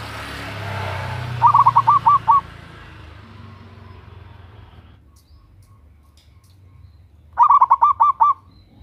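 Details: Loud local zebra dove, a female calling a male as a lure: a rapid rolling series of short coos, then a pause and a second matching burst, with hissy background noise fading early on.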